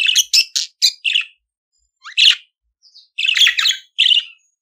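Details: Budgerigar song meant to teach other budgies to sing: rapid chirpy, buzzy notes in short groups, a lone rising chirp after a gap, then a longer burst of dense warbling chatter.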